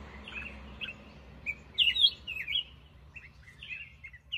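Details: Black-crested bulbul delivering bright, jumbled whistled notes, soft at first and then a louder, looping warble near the middle, with brief pauses between phrases.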